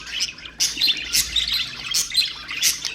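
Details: Pet budgerigars chattering, a sound meant to stimulate other birds: a dense stream of high, scratchy chirps and short squeaks, with louder bursts roughly every half second.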